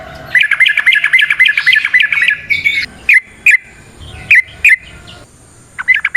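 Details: Fighting-style bulbul song, trucukan type: opens with a dense rattling chatter of fast bubbly notes, then slows to spaced sharp liquid chirps in pairs, over a faint continuous high tone.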